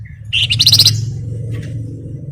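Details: Flamboyan bird, played to lure other birds into singing: a brief whistle, then a loud, rapid, high pulsed trill lasting about half a second over a constant low hum.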